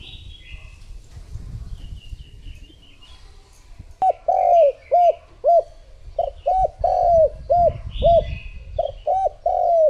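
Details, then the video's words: After a few seconds of quiet with soft distant chirps, a decoy spotted dove starts cooing to draw in other doves. It makes a steady string of about a dozen short arched coos, a few longer and drooping. "Cu gáy mồi thúc gù gọi bổi / Suara Burung Tekukur Gacor Terbaru 2026 Paling Ampuh Untuk Pancingan"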